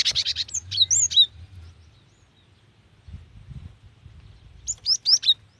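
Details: Cinereous tit female calling a male, used to stir wild or young birds to sing: a dense chattering run of high chirps leading into looping whistles, a quiet gap, then another burst of slurred notes.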